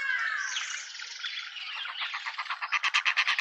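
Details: Hornbills, a juvenile with its parents, in a suburban garden in Pretoria, South Africa: a slurred, chattering phrase speeds into a run of evenly spaced, nasal, pulsed notes, about three per second, growing louder toward the end.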